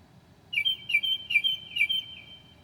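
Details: Northern mockingbird at night, 2 a.m. in July, mimicking other birds: a sustained high whistled note broken into four short accented pulses over about a second and a half.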